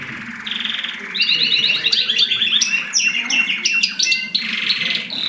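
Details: A mosaic canary sings during mating, a steady whistle first, then quick chirping trills, sharp staccato clicks and rolling phrases in a rapid, varied sequence.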